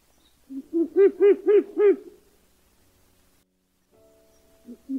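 Ural Owl: a short low note, then a quick run of five deep, arched, barking hoots about four a second. Brief quiet, then two more low notes.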